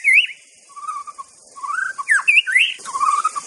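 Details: Master recording of an Aceh white-rumped shama: low mellow warbled whistles alternate with higher looping, rising notes, with short pauses between phrases.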